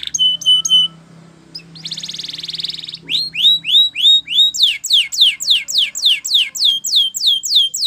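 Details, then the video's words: Spanish Timbrado canary training song: clipped metallic notes, a buzzy roll, then a long rhythmic series of falling whistled notes, about three per second, over a faint low hum. "Unexpectedly, The Sound Of This Canary Attracted Many Canaries To Song"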